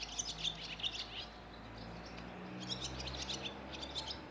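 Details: A barn swallow at Rakitovec, Slovenia, on 29 April 2024, twitters in quick, high chirps and squeaky notes in bursts over a steady low hum.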